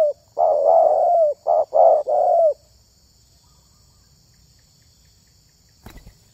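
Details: Spotted dove of the kind selected for voice in the luring hobby, uttering a quick burst of five mellow coos, then silence broken by a single sharp click.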